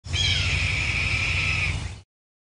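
A single hoarse, drawn-out scream from a Red-tailed hawk, held about a second and a half and sagging slightly in pitch, over a low rumble of wind.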